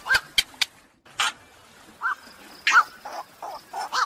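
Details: Black-crowned night heron calls used to lure birds during the 2023 night trapping season: a few sharp clicks, then spaced, gruff, nasal croaks, some doubled, over a faint constant high whine.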